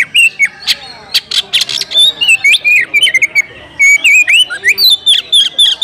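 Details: Oriental magpie-robin issuing a fighting challenge to a rival: dense, varied whistles and chattering notes, harsh rasping bursts near the start, then fast looping whistled phrases that rise and fall, about four notes each second.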